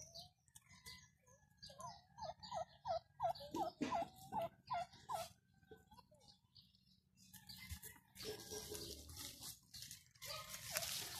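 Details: Backyard domestic turkeys give a run of about a dozen short, evenly spaced yelping notes, roughly three each second. Broad rustling and scraping noise follows near the end.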